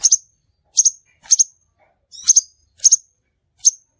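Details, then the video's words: Crimson sunbird trapping lure: sharp, very high doubled chip notes repeated about every half second, clean and without background noise. "suara burung sepahraja ampuh"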